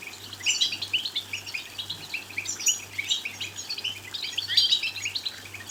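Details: European goldfinch song meant to excite goldfinches into singing: continuous fast twittering of short high chirps and trills, several louder phrases, with a regularly pulsing low hum underneath.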